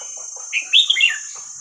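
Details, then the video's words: Single whistled phrase from a Red-whiskered bulbul singing the hua krok khayao khuat style, meant for teaching young birds: clear, bubbly notes climbing and then dropping, with soft lower chirps around it and a constant high tone. "เสียงนกกรงหัวจุกเพลงหัวครกเขย่าขวด เปิดสอนลูกนก"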